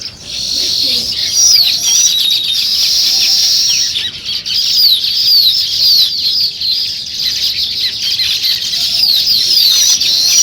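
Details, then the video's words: Many sparrows chirping together in the morning, a steady wall of shrill, overlapping chirps and quick upslurred notes that barely pauses, with one short dip around the middle. "Sparrow Morning Chirping Sounds"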